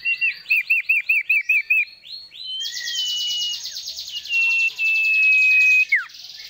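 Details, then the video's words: Sooty-headed bulbul (sirtu) singing vigorously: a row of eight quick, bright, down-slurred chirps about four per second, then a long, dense, buzzy rattle with sustained high whistled notes, ending in a sharp falling slur. "Asyiknya mainan burung Sirtu Gacor"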